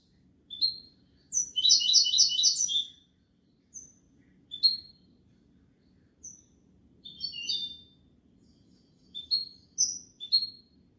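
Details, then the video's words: European goldfinch singing a fast, tinkling trill of repeated notes lasting over a second, followed by scattered short chirps and single high calls spaced through the rest. "تغريد الحسون كوبية ملقا canto chardonnert"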